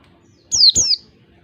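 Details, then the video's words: A wild oriental white-eye sings a "ngalas" beat phrase, a lure song for white-eyes: a single pair of sharp, descending high whistles lasting about half a second, then quiet with a low hum. "pancingan pleci ngalas 1 2 3 ketukan terampuh buat pancingan segala jenis pleci"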